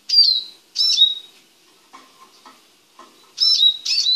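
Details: Male Eurasian siskin kept in a small cage while being prepared for mating: two short bursts of high chirping notes with a long quiet gap between them and faint soft sounds in the middle.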